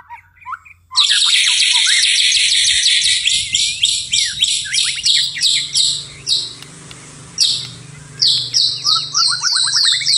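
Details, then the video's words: White-rumped shama (murai batu) singing vigorously at night, gacor style: after a short pause a dense run of rapid, very high chirps and sharp whistled notes, broken by brief gaps, ending in quick rising chips. "murai batu tetap gacor di malam hari"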